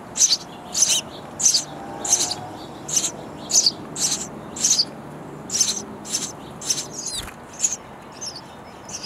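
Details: Chicks of sparrows in a nest box calling loudly while parents bring insects all day; steady high, raspy chirps repeat about every half second, roughly fourteen in nine seconds, with a soft rustle near the end.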